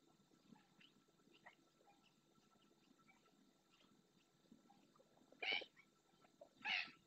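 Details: Ringed red-knobbed coot in the marsh of Doñana National Park, Spain, gives two loud, harsh, burst-like calls about a second apart near the end, after a stretch of faint scattered marsh sounds and soft ticks.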